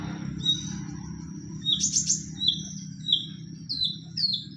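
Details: Fighting-style pastol lure song of a white-rumped shama, used to provoke other shamas into singing: a series of short, high, clear whistled notes, a quick triple burst in the middle, over a steady low hum.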